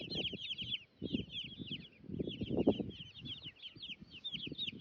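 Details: Many baby chicks chirping while roaming with turklings on a homestead; overlapping high, sliding peeps run constantly, over a busy layer of low scuffling, pecking and rustling sounds.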